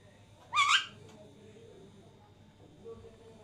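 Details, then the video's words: Indoors, two Alexandrine parakeets share food as a third one laughs: a single short, harsh, rising squawk, then quiet room noise. "Two alexander parrots sharing food while third one is laughing."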